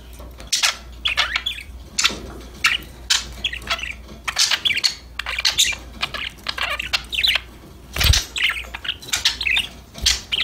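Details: Pet budgies singing and talking together: irregular, scratchy warbling bursts and high chirps repeating through ten seconds, with short gaps and one loud harsh call near the end, over a faint low hum.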